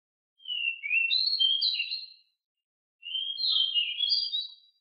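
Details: Rolling song of an agile, very noisy pied bushchat: two high, scratchy warbled phrases, each about two seconds, with a pause of about a second between them, and no other sounds.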